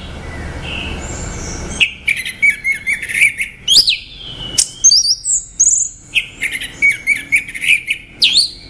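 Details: Orange-headed thrush singing: after a quiet start, a run of varied high whistled and chirping phrases, rising and falling notes delivered in quick succession with brief pauses between them.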